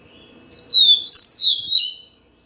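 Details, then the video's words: A yellow-bellied seedeater sings a single phrase: a thin whistle gliding downward, then a series of rapid, rich warbled notes with buzzy edges, closing on a short trailing note; no other sounds apart from faint low hum. "Yellow-bellied seedeater song"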